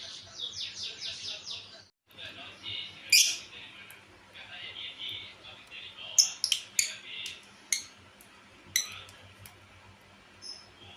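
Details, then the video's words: Female lovebird of a pair making a strange call: a run of rapid harsh chirps in a burst, then scattered sharp squeaks and short grating notes with pauses, indoors. "SUARA ANEH LOVEBIRD BETINA PASANGAN"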